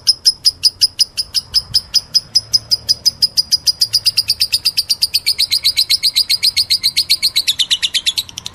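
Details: Lovebird meloloh: fast, shrill chirps repeated about three a second, accelerating into a dense, slightly descending trilling chatter in the second half.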